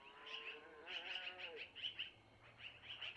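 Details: Begging long-eared owl owlets at a camera-watched nest in Missoula as the mother feeds them food brought by the male: clustered high squeaky notes repeating in uneven groups, with faint lower wavering tones underneath.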